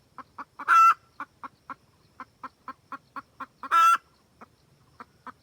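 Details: Wild red junglefowl hen cackling to call a rooster, used as a trapping lure: evenly spaced short clucks broken twice by a loud, drawn-out, harsh squawk.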